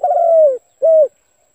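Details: Spotted dove cooing, recorded for use as a trapping lure: one long, steady, gently falling coo followed after a short pause by a single brief rounded coo, with nothing else heard.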